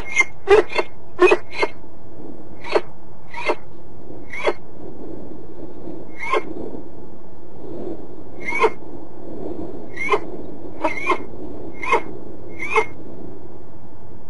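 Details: Peregrine falcon at De Mortel, Netherlands, giving short, harsh, rasping notes, about one a second at first and then more spaced out, over a steady low rumble.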